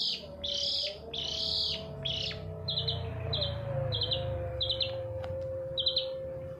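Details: Long-tailed shrike lure sound meant to set silent birds singing: a series of rasping buzzy phrases, followed by shorter clipped scratchy notes spaced about half a second apart over a faint background hum.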